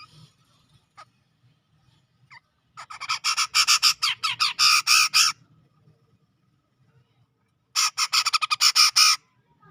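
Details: Grey-cheeked bulbul (cucak jenggot) from Sumatra's tropical forest near Medan, in lively ngepik style: two bursts of rapid, harsh, buzzy notes, roughly four per second, separated by near silence with a few isolated clicks.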